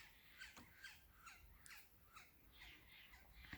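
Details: Two woodpeckers, with a raven nearby, give harsh, squeaky calls that slide downward, about two or three a second, in an uneven series over faint rustling. The sound is unusual and thought possibly a mating call.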